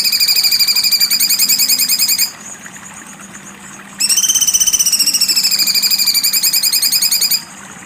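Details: Sharp 'besetan tajam' song of a cucak cungkok: two long bursts of rapid, high, rattling trill, each around two to three seconds, separated by a short quiet pause with low background noise.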